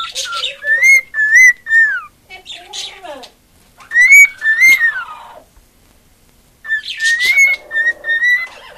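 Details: Pet cockatiel hen that loves attention, singing in short bursts of bright whistled notes, some bending downward, alternating with raspy chatter and a few seconds of quiet between phrases.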